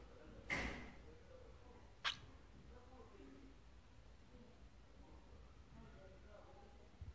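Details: Pet cockatiel calling indoors while wanting more scratches: a short harsh squawk near the start, then a second brief, sharp chirp about a second and a half later, with quiet room background in between.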